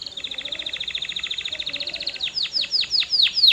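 A canary sings a fast, high, even trill for about two seconds, then switches to loud, downward-swooping whistles, roughly three a second.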